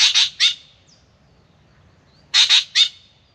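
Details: Spangled drongo in Australia, morning, coming for a drink at a birdbath: two groups of three loud, harsh, rasping squawks, about two seconds apart, with quiet between.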